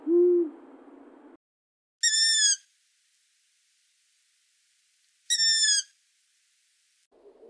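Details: Long-eared Owl (Asio otus): one low, soft hoot, then two drawn-out, squeaky, high-pitched calls about three seconds apart, with quiet gaps between them.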